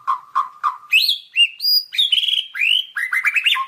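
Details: Masteran recording of white-rumped shama, a bird of Sumatra, Peninsular Malaysia and parts of Java: three low repeated notes, then rising and falling whistles climbing higher and ending in a rapid run of upswept notes.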